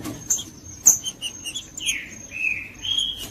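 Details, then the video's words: Green-winged saltator singing, used for warming up a cold bird; after scattered high chirps and clicks comes a run of clear whistles, first falling, then level and slightly rising, over a thin continuous high hum. "MELHOR VÍDEO PARA ESQUENTAR TRINCA FERRO FRIO 2024 | TRINCA FERRO JUDAS"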